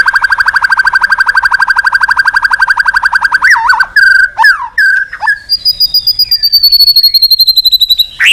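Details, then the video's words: White-rumped shama singing to call a rival: a long fast trill of identical clipped notes for over three seconds, then loud slurred whistles and a sustained high, slowly falling note. "Suara Burung Murai Batu Gacor Memanggil Lawan"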